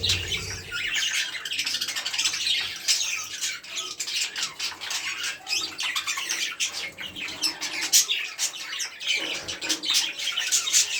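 Budgerigars chatter continuously with rapid, scratchy squawks and chirps during courtship.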